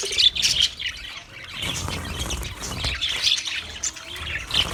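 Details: Chirping budgerigar, 14 March 2024, warbling in bursts: scratchy high twitters and sharp chirps swell, ease off briefly near the middle, then pick up again with clear whistled notes.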